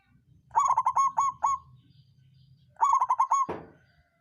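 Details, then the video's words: Songgo ratu local zebra dove singing a lure song meant to excite rival birds: two strong phrases of rapid pulsed, mellow coos, the second one ending with a sharp knock. "Perkutut lokal songgo ratu suara pancingan naikan birahi lawan ampuh buat terapi burung malas bunyi"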